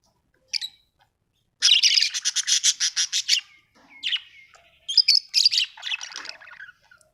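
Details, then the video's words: Budgerigar chirping happily: bursts of rapid, scratchy warbling chatter and sharp high chirps, broken by short pauses, in a quiet setting. "happy budgie chirping sound"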